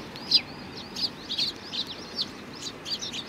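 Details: Sparrows at a Tenmangu shrine, Japan, on 4 July 2019: quick, slurred high chirps with short rising and falling strokes, following one another every fraction of a second against a low background hum.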